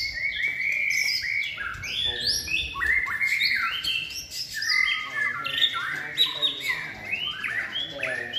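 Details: Caged white-rumped shama, a bird trained for singing contests in its third season, delivering a continuous, rich run of varied whistled phrases, fluty slurs and quick chattering notes with barely any pause.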